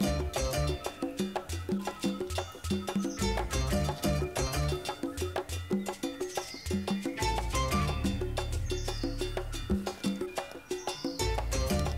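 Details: Upbeat Latin-style music with steady percussion and wood-block taps fills the whole stretch, with no animal calls audible.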